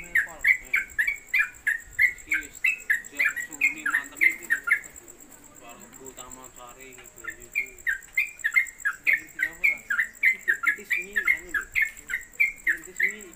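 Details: Caged yellow-vented bulbul (trucuk), a newly kept bird, singing in the fast, unbroken 'konslet kemedol' style at home on the hanging pole: rapid bursts of chirpy repeated notes, a short lull midway, then a steady high whine behind.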